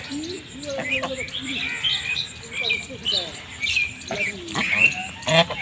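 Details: Several farmed domestic geese in a rice field call over one another in a busy chorus of nasal squawks and brief rising honks, uneven and almost constant, over a steady outdoor hiss.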